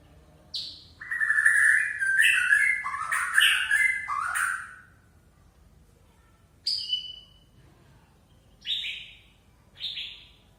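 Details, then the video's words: White-rumped shama of the Aceh type, singing a relaxed, full repertoire: loud rich warbled phrases around one to three seconds, sliding notes, then after a pause three short separate whistled notes spaced about a second apart. "Murai Aceh - SMBF # Sidqi Bongkar Isian santai"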